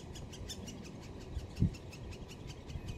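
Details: At Solleveld on 26 May 2018, young great spotted woodpeckers call from the nest while the parents bring food. The call is an even run of quick, high chattering ticks, with a dull knock near the middle.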